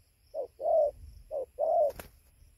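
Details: Gia Lai, Vietnam, 24 November 2020, 5:20 am near a roost: a spotted dove utters two paired coos, short then long and mellow, followed by a brief sharp tap.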